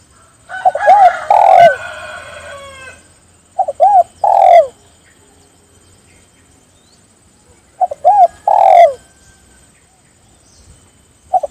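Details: Spotted dove calling companions to join in: phrases of two short coos, an arched note and a long descending croo near the same low pitch, repeated every three to four seconds, the first phrase longer and rougher.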